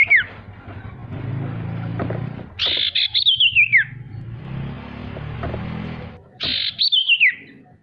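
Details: Singing male sirtu, played to encourage quiet birds to start singing: bright high trills sliding downward, given about every three seconds over a continuous low engine-like hum.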